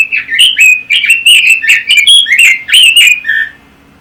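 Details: Red-billed leiothrix, an imported songbird kept by Indonesian bird enthusiasts, sings a rapid run of warbled, slurred whistles, each phrase rising and falling quickly, strung together for about three seconds before ending on a lower note.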